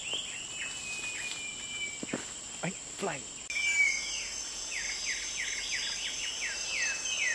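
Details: Short-tailed babbler calling at Venus Loop, Singapore. After a few seconds of handling thumps, it gives quick falling whistles in a rapid series. A constant shrill insect hum continues in the background.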